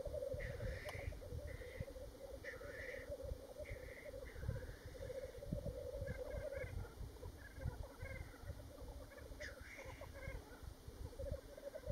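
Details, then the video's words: Black grouse, Worlds End on Ruabon Moor, North Wales, recorded 25 March 2018: a low bubbling warble throughout, punctuated by short sneezing hisses every second or two, with heavy wind noise. "Black Grouse at Worlds End Ruabon Moor North Wales on 25th March 2018"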